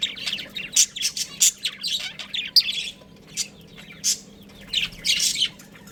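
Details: Budgerigars from a breeding pair chirping in short high scratchy bursts and squeaks, separated by quieter pauses, low hum in background.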